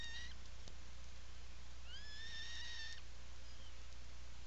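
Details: Afternoon of 17 July 2018, Atlantic puffin burrow on Seal Island National Wildlife Refuge, Maine, burrow camera: a short call at the start, then a single sustained whistled wail rising at onset and held level for about a second, with strong low-frequency hum throughout.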